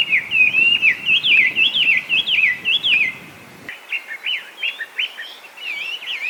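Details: Song of a wild-living Chinese hwamei in Japan, a skilled mimic: a fast run of warbled whistles, then after a brief drop a series of choppier, clipped notes.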